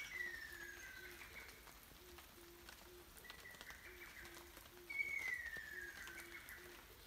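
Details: Ruddy kingfisher, unseen in a forest during rain in 2019, giving long, slowly falling rolled trills about every two seconds, over steady rain and a soft, low three-note hooting in the background.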